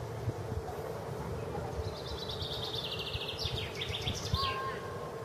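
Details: Common chaffinch singing on 18 April 2015 at the Tsaritsyno museum-reserve in Moscow: a run of high repeated notes speeding into a descending trill that ends in a quick flourish, over a steady low rumble.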